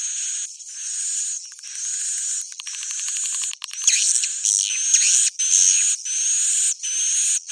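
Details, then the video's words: Swiftlet roosting call: dense, high buzzy twittering with rapid rasping chirp trains and bursts of dry clicks, broken by brief gaps, all above the low range. "Suara Inap Walet"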